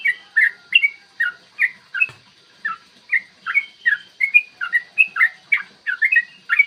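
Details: Yellow-vented bulbul, 'ropel panjang' fighting song recorded in the morning to goad rival birds: quick, throaty, bubbling whistled notes repeated steadily, with one brief low knock early on.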